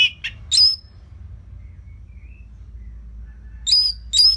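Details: Orange-headed thrush singing steadily, used as a lure to train other songbirds: loud whistled notes with downward hooks, in a burst at the start, then a quiet gap with faint low hum, then two bright phrases near the end.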